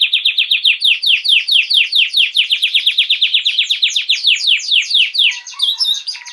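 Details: Canary singing a fast series of bright, down-slurred whistled notes, about two per second then quickening into a rapid trill, before switching to a scratchy, buzzy phrase near the end; quiet indoor setting.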